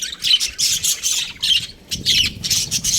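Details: Budgerigars of a breeding pair squawk and chirp in harsh, high bursts, rapid grating notes in clusters with short gaps between them.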